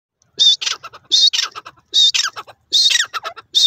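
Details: Male francolin, called teetar, calling: loud harsh phrases starting with a strident high note and followed by a quick run of clicking notes, repeated about every 0.8 seconds.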